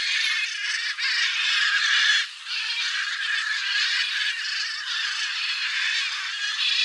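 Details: A flock of Blue-and-yellow macaws returning after feeding on soybeans left by a harvester in cerrado farmland keeps up a dense, unbroken chorus of harsh, raucous, overlapping squawks.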